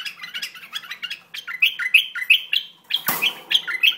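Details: An Iraqi bulbul repeats a short rising whistled note about three times a second among chattering notes. A sharp knock is heard near the end.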